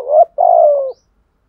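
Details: Single two-part phrase from a Spotted dove in the 'thổ sấm' voice, a lure call for wild doves: a short rising coo, brief gap, then a long, steady, gently falling throaty note.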